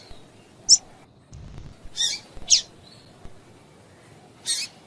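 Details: Female Double-collared seedeater calling so males start singing: a thin high chip, then a pair of raspy chirps, and a final burst, with a brief low rumble in between.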